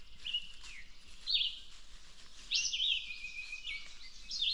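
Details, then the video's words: Red-eyed Vireo singing very loudly close by on the K&P Trail near a swamp, May 16, 2025, about 6:30 am. It gives loud, short whistled phrases that slur up and down, about one per second, over soft hiss. "So that's a red-eyed vireo singing very loudly beside me here."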